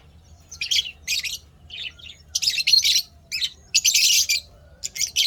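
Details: Lovebirds chirping happily, 12 May 2025, in near-continuous loud, raspy, squealing bursts of chatter, several overlapping runs of harsh high notes with only brief pauses, suggesting more than one bird calling at once.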